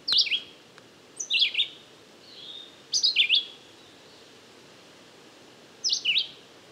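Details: Red-eyed Vireo, unseen in the trees and recorded with a parabolic microphone on a windy day, singing short, slurred whistled phrases, rising then falling, spaced about one to three seconds apart, over a steady hiss of wind in the trees.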